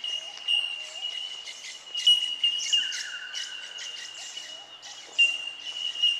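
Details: Bell miners (bellbirds) at Benarkin, south-east Queensland, ring out a steady chorus of high, pure bell-like tinks, with scattered chirps and a brief descending whistle mixed in.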